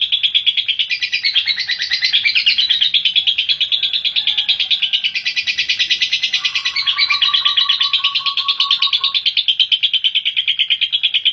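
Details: Lovebird giving a long chattering trill: continuous harsh, buzzy pulses repeated about three per second for over eleven seconds, with a brief lower whistled series partway through.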